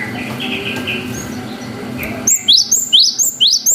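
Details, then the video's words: Cinereous tit, long wucit song used to prompt young birds to answer. Faint chirps and background noise first, then a quick run of sharp, upward-sweeping whistled notes. "GELATIK BATU GACOR WUCIT PANJANG"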